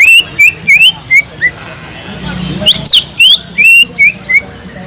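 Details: Greater green leafbird song used as a lure to stimulate subdued leafbirds: short whistled phrases repeated about three per second, a brief quieter gap, then louder rising and falling whistles resume.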